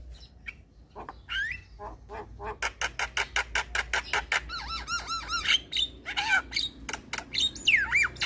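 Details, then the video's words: Black-winged starling singing to stir silent, stressed starlings into song. Rapid dry clicks and harsh squawks come in quick succession, mixed with short looping whistles and rising and falling rasping phrases. "Jalak Kebo Stres MAlas Bunyi Langsung Nyaut Dengar Suara Burung Jalak Kebo Ini"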